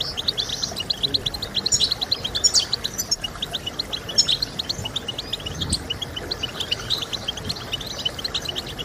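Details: European goldfinch chirping song used to get goldfinches singing: rapid high twitters with occasional ringing, bell-like notes, steady and energetic across the stretch, with a faint low rumble and hiss.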